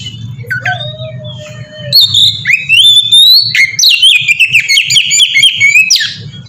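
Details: Oriental magpie-robin giving the melodious 'ngeplong' song used to lure other magpie-robins into singing. Opens with a long flat mid-pitched tone, then bursts into fast rising whistles and rapid repeated chirps over a constant low hum.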